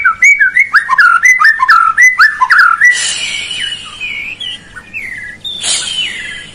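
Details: White-rumped shama song for provoking a lazy bird into song: a quick series of repeated rising and falling whistled notes, followed by quieter slurred phrases and a short buzzy burst.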